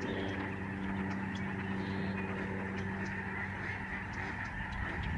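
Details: Lesser Snow Geese, a large flock in the sky over the George C. Reifel Migratory Bird Sanctuary, Canada, November 2011: a dense, continuous chorus of overlapping nasal honks with a steady low hum underneath.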